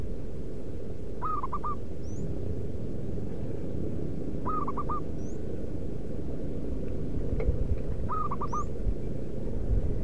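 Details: Wild local zebra dove calling as a lure for wild doves: short phrases of three or four soft, clipped, mid-pitched cooing notes, repeated about every three and a half seconds over a steady low rumbling background, with faint high chirps.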